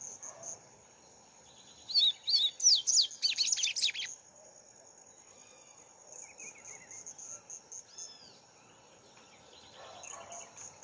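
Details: Double-collared seedeater singing on a hand: a quick burst of high, sweeping slurred notes for two seconds, followed by softer scattered chips and a thin high hum in the background.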